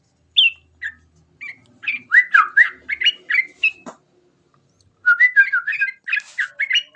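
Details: Sooty-headed bulbul song, short bubbly whistled notes around mid pitch, first spaced singly, then quick jumbled phrases of liquid rising and falling notes after a brief silence.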